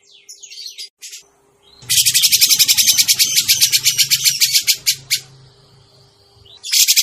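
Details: Grey-cheeked bulbul lure call for catching birds: soft scratchy notes, then a long rapid chatter of rasping pulses lasting about three seconds, with a low droning rumble beneath. A fresh loud burst starts at the end.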